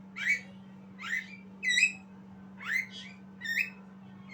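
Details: Practising its song, a young Javan myna gives six quick upslurred whistles and chirps, some clear and some rough, about one every 0.7 seconds, over a continuous low hum.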